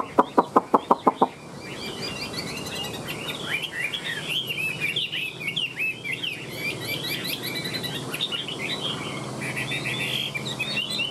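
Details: Caged Chinese hwamei with fanned tail and flicking wings singing: after a quick run of seven sharp evenly spaced knocks, a rich, rapid stream of varied whistled and chattering notes flows without pause.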